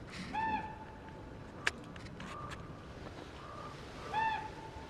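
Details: Ravens at a winter bait site in New York, heard from a blind where bald eagles were also present: two loud harsh calls with stacked overtones, with a brief click between them and faint softer calls in the gaps.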